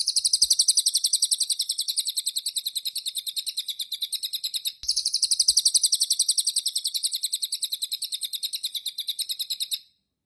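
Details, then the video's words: White-eye singing after being bathed: a long, high, rapidly pulsed trill of even chattering notes, held for almost five seconds, broken by a brief pause, then resumed for about five more seconds before stopping. No other sounds. "burung cililin habis di mandiin - kicauan burung"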